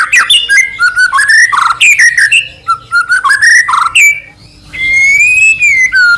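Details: Energetic white-rumped shama song played to stir another shama to sing: a varied run of chattering notes and mellow whistled slurs ending in a long, clear, sustained whistle.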